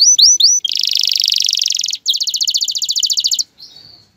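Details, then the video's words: Singing male canary preparing a female for mating and nest building: three sharp rising-falling notes, then two bursts of very rapid high trilling separated by a short gap, ending in a soft buzzy tail. "اقوى تغريد ذكر الكناري لتجهيز انثى الكناري للتزاوج و تحفّزها على بناء العش"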